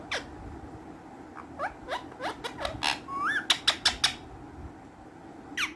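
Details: Playful green ringneck parrots kept as pets produce scattered short descending squawks, a brief rising warble mid-way, then a burst of four clipped, clicking notes and one last falling squawk.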